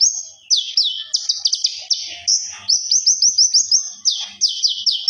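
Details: Common iora, known as konin, singing gacor to ngobra for use as a master: dense rapid strings of high slurred whistles, briefly held flat whistles, then further quick bursts of doubled downswept notes.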